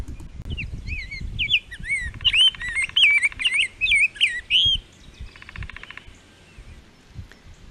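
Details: Rose-breasted Grosbeak song from a reference recording: a rich, sweet warble of slurred whistled notes rising and falling for about three seconds, with a buzzy drone underneath and again after.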